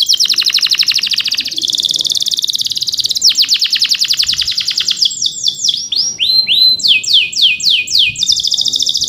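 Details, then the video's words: Singing male canary delivering a rolling 'ngerol' song used to provoke and train other canaries; dense buzzy trills alternate with series of fast descending high whistles, each phrase lasting a second or more. "PANCINGAN KENARI GACOR NGEROL CUIT CUIT EMOSI UNTUK MASTERAN KENARI PAUD AGAR CEPAT BUNYI DAN GACOR"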